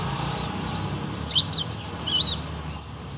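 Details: High, thin, spaced chirps and short slurred whistles from a young buxtomi oriental white-eye performing its 'tembakan' song style, about a note every half second, with a soft background hiss.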